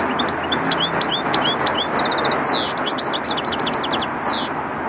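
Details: European goldfinch singing, a rapid jumble of tinkling notes, short buzzy downslurs and trills, heard over steady background noise.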